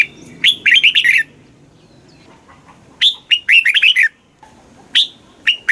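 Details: Thai red-whiskered bulbul with a southern master-pattern song, played to rouse caged birds and teach chicks: two quick bursts of rolling, whistled notes, followed by a few scattered single sharp notes near the end.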